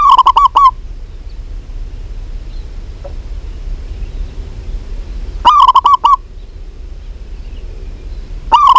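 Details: A female zebra dove of a local strain calls to a male. Short bursts of rapid, rolling cooing notes come three times, about five seconds apart, with soft hiss between them.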